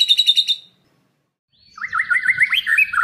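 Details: White-rumped shama singing full isian, a song filled with copied sounds. A quick high rattle stops, a short silence follows, then a wavering, warbled chatter rises and falls continuously with a faint low rumble below.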